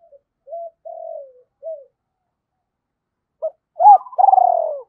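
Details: Decoy spotted dove calling to entice wild birds: a few soft short coos, a pause, then louder clipped notes leading into a strong rolling coo that slides downward.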